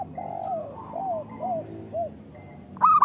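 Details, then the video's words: Local zebra doves used as a singing lure; four soft, low, arching coos in slow succession, followed by a brief louder burst of quick coos at the end. "Perkutut lokal gacor Suara Pancingan Paling Disukai Burung Perkutut"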